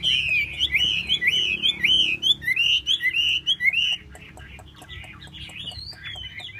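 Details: Tail-fanning Chinese hwamei delivering a fast run of bright, wavering whistled notes repeated in rolling loops, then fading to softer, scattered phrases; light clicking taps accompany it.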